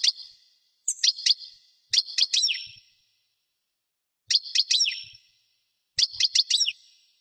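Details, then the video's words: European goldfinch singing in short bursts: groups of two to four sharp metallic chirps, each ending in a downward slurred twitter, separated by brief silences; clean recording. "chant de chardonneret"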